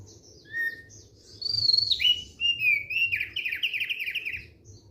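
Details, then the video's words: Thick-billed white-eye singing relaxed song: a short whistle, then a loud high trill falling into a long, rolling, warbled phrase of rapidly repeated slurred notes. "KICAUAN SANTAI OPIOR PARUH TEBAL"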